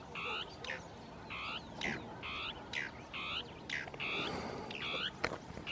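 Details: Northern tapaculo territorial song with two birds interacting among shrubs; a steady series of short, hoarse, buzzy notes repeated about twice per second, with a faint background hiss and a sharp click near the end.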